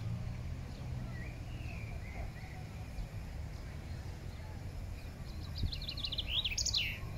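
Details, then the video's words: A common chaffinch singing in Regent's Park, London, in May 2024: a quick run of bright, falling notes ending in a short flourish, over a steady low rumble of wind or distant traffic. "beautiful Common Chaffinch sings."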